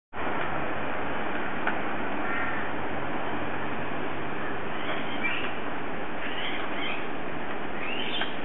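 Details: Cockatoos destroying a tree give several harsh, rasping screeches, mostly in the second half, over a heavy low rumble of wind or handling noise.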